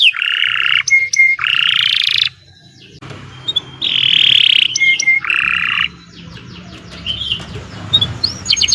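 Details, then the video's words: Canary (Kenari Nusantara) giving long song as a model for contest birds: loud buzzy sustained trills alternating with sharp whistled notes, broken by a pause, over faint background hum. "Kicau Burung Kenari 98 II GACOR PANJANG Cocok untuk Masteran"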